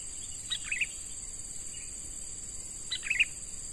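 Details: Young wild-caught sooty-headed bulbul in training as a lure bird gives two short bubbly, chirping phrases about two and a half seconds apart, over a steady high insect drone.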